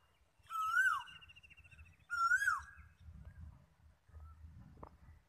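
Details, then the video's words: Koel giving two strong whistled notes about a second and a half apart. Each swells upward and then falls off steeply. A low hum runs underneath, and faint scattered clicks follow. "কোকিলের ডাক"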